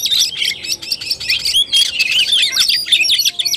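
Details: Fighting-style (tarung) singing by an Oriental magpie-robin, 17 August 2021. A busy, irregular run of about four notes a second: shrill chirps, slurred whistles and downward sweeps.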